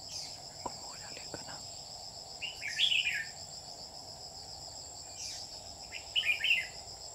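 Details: Slender, thin-feathered red-whiskered bulbul serving as a trapping decoy, July 2019, sings two quick chattering, warbling phrases. A continuous shrill insect buzz runs underneath, with a few faint clicks.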